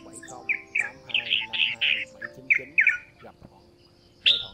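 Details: Male and female red-whiskered bulbuls calling the flock, played for bird trapping. Rasping, warbled chirps cluster in a dense run mid-clip, then a pause before one loud closing note. Faint low droning tones sit beneath.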